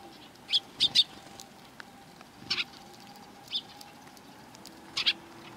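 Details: Sparrows visiting to be fed at a Tenmangu shrine approach, April 2020, give loud, sharp chirps, mostly single or in pairs, spaced irregularly with quiet gaps between.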